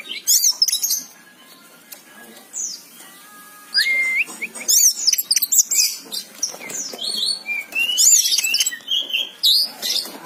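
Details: Oriental magpie-robin singing actively, in the lively style called gacor: bursts of high, varied whistles, sharp rising slurs and quick chattering notes, broken by short pauses, over a faint steady background hiss.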